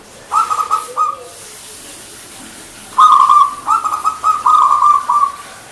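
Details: Local perkutut, the zebra dove, performing manggung song: a short burst of rapid pulsed coos, then after a pause a longer run of choppy coo clusters that ends on a sustained tone.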